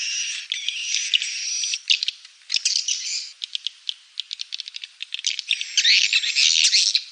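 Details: Swiftlet call used as a lure for nesting swiftlets: fast dry rattling clicks mixed with thin high twittering and buzzy trills, swelling into dense chatter toward the end.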